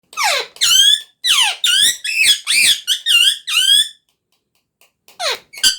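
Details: Talking parrot producing a rapid series of squeaky, harmonic-rich vocal bursts with rising and falling sweeps, about eight in quick succession, then a pause and two more short squeaks; indoors, no other sounds.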